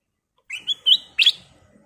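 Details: Sooty-headed bulbul with golden plumage delivers a short phrase of four rising, fluty whistles, the last two run together into a brighter, slightly buzzy note, in quiet surroundings.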